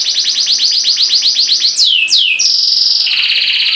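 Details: Caged canary song: a quick series of repeated down-curving notes, two long descending swoops, then steady high buzzy trills.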